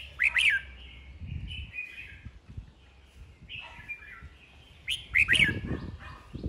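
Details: Red-whiskered bulbul in a singing duel: two loud bursts of sharp, looping whistled notes at start and end, with softer warbling between and low rustling and knocking noises.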